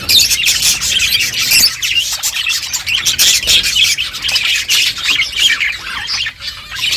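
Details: Budgies chirping as they eat, a flock of pet birds producing busy, scratchy high chatter and squawky warbles that run without pause, with brief clicking taps.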